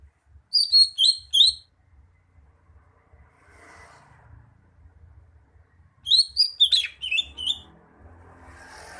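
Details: Greater green leafbird singing two bursts of sharp, high whistled notes, each about a second long, separated by a quiet gap of faint rustling, with a low hum underneath.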